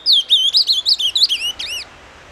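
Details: An ultramarine grosbeak sings the "doce amargo" song, a quick, sweet warbled phrase of about ten high whistled notes that rise and fall, ending in two slurred downward notes before quiet.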